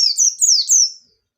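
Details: Short phrase from a white-eye in 'ngalas nembak' style, used as a lure: three or four high slurred notes, each dropping in pitch, running together within one second.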